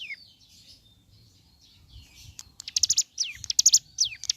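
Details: Bar-winged prinia song in the morning: a descending whistle, a quiet gap, then bursts of rapid high chips mixed with falling slurred notes, uneven in rhythm.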